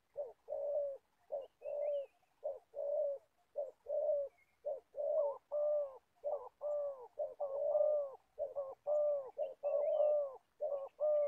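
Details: Old decoy spotted dove for trapping wild birds, Gia Lai, Vietnam, cooing steadily in a long run of low paired notes, short then long, quickening toward the end, with occasional faint chirps.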